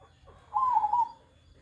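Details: Zebra dove, said to coo all day and not be afraid of people, giving one short wavering, bubbly coo that dips slightly and ends softly, over a quiet low hum.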